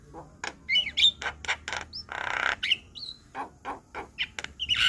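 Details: Javan myna (jalak kebo), white-eyed, singing gacor for masteran training: dense harsh squawks interspersed with short rising whistles and a drawn-out hissing rasp.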